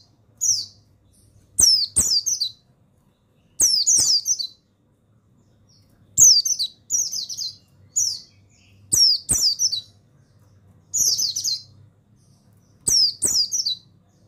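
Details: Mountain white-eye (pleci buxtoni) stimulating song: a steady series of high, sweet twittered phrases, often paired, each falling in pitch, spaced one to two seconds apart, with sharp ticks preceding many of them.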